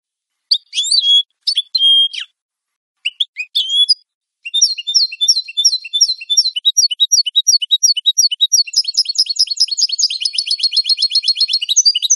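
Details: European goldfinch singing on a clean recording for training captive birds: a few separated whistled and buzzy phrases, then a long accelerating stream of high twittering notes building to a dense fast trill.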